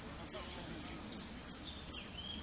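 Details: Close, bright repique phrases from a goldfinch placed second at Merlo, 3 January 2016: four short, high, ringing note clusters spaced about half a second apart, over a soft noisy background.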